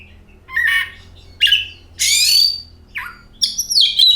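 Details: Lure song of an Oriental magpie-robin, meant to get other magpie-robins singing: scratchy bursts and a long harsh rasp, followed by a quick downslurred whistle and clear high notes.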